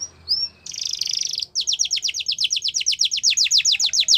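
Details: Yellow canary singing in the wild, per the description: a brief whistle, a dense buzzy trill, then a steady series of loud downward-sweeping chirps, roughly five per second.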